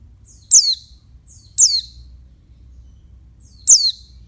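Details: Three piercing, descending high notes from a female oriental white-eye calling to stir males, the first two about a second apart and the last after a longer pause, a low hum beneath.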